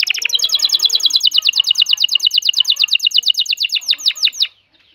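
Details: Breeding male canary singing to coax a female toward mating: a long series of quick, sharply falling chirps repeated several times a second, slowing slightly near the end before cutting off.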